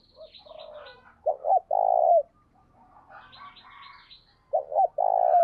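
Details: Spotted dove kept as a decoy, cooing 'gáy sung' during decoy training. Two low phrases, each a quick double note followed by a drawn-out mellow coo. Thin high twittering from other birds fills the gaps.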